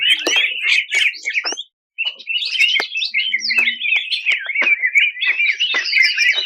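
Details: A 2021 national champion greater green leafbird's 'tembakan kasar' song: choppy bursts of quick, scratchy high notes, a short silent gap near two seconds, then an extended rapid chattering run.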